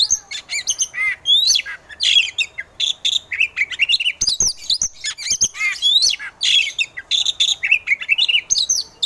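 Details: Oriental magpie-robin of the competition type, recording meant to provoke other birds into fighting song: a fast, loud, varied run of rich whistles, sharp chips and sweeping notes, almost without pause, high and bright.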